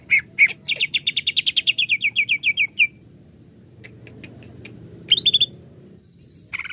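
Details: Excited greater green leafbird, provoked, rattles off a fast series of about twenty bright repeated chirps, then pauses before brief sharp notes, low hum in the background.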